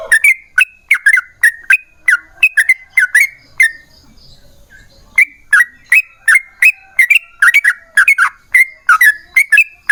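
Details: Yellow-vented bulbul in lively, steady song, used as a lure to get other bulbuls to sing: short bright chirped notes repeated about twice a second, a brief pause near the middle, then the run resumes.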